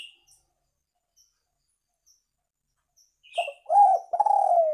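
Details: Spotted dove call used as a lure for trapping birds: after a near-silent start with one thin high chirp, a low husky coo phrase of several rolling notes arrives in the last second and a half.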